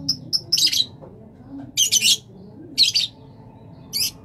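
Rosella giving bright, high, scratchy chirps in short bursts about once a second, over a faint low indoor hum.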